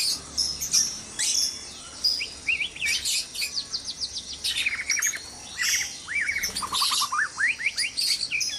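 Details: Dawn in a white-rumped shama breeding cage: rapid strings of bright chirps and repeated rising whistled notes, with high sharp calls overlapping throughout.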